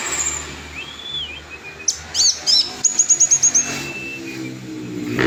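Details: Orange-headed thrush singing with a clear voice: a thin drawn-out whistle, then a fast series of sharp repeated high notes and another long whistle, over a steady background of passing traffic.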